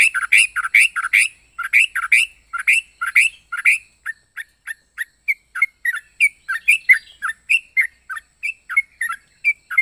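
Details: Yellow-vented bulbul with a strange, unique song: rhythmic groups of harsh, buzzy chattering notes repeated in quick runs, then a long series of short, sweet chirped whistles, some slurred downward.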